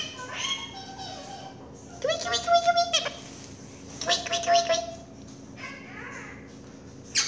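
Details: Pet monk (Quaker) parakeet indoors calling "mommy", giving harsh, gargly, speech-like bursts in two clear phrases about two seconds apart, with a few softer squawky calls around them.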